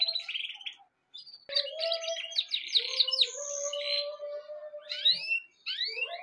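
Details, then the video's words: Chirping birds mix harsh high bursts with a lower, steady whistled tone held for several seconds. There are short silent breaks, and the clip ends with quick, sweeping high notes. "Amazing Birds sounds"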